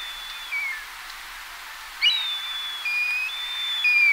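Black Kite giving thin, high whistles, some long and level, others dipping downward, repeated several times over a soft background hiss.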